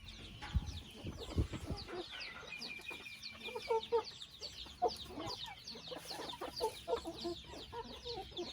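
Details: Chickens clucking: several birds give short, repeated clucks through the recording. High, thin chirps run over them, and a few low thumps sound near the start.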